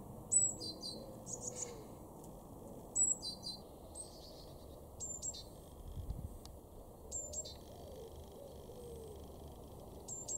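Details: Garden great tit recorded in Weener, East Frisia, Germany, in March 2024, giving repeated high, clipped double notes that step downward, with some scattered shorter calls between phrases and a constant low hum behind.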